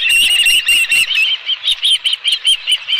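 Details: Osprey calling at the Dunrovin Ranch nest with a live fish, 11 July 2018, midday: loud, even series of high whistled chirps, roughly two or three each second, with light flapping or rustling at the start.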